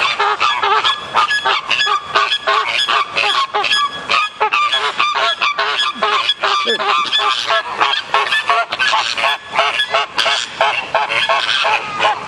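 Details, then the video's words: A flock of captive flamingos squabbling at Columbus Zoo in Ohio: rapid, harsh honks in quick overlapping bursts, several birds calling at once, with brief dips between volleys. "Flamingo minor dispute at Columbus Zoo"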